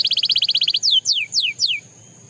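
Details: A Belgian canary gives a fast, buzzy, evenly pulsed trill of about a dozen notes, then four separate loud whistles, each sweeping steeply downward, before falling silent.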